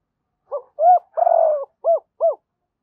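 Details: Spotted dove song meant to draw challenging males to the perch: a short note, an arched hoot, a long vibrating coo, then two separate arched hoots, five low notes in about two seconds, no background sound.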